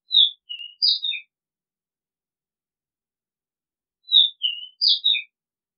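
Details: Oriental magpie-robin song, presented as a calling and decoy-bird recording: a short phrase of four clear whistled notes, high then dipping, is repeated about four seconds later against a silent background.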